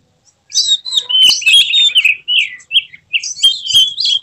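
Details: Emotional tail-spreading Oriental magpie-robin, known locally as kacer, challenging opponents with a fast medley of bright whistles, buzzy slurs and clipped chips that switches pattern every fraction of a second.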